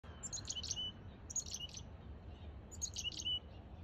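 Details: Black-capped chickadee (Poecile atricapillus) at a front-yard feeder in NW Calgary, Alberta, 12:50pm, September 10, 2022: three quick bursts of high, chippy notes mixed with lower buzzy tones over a steady low rumble.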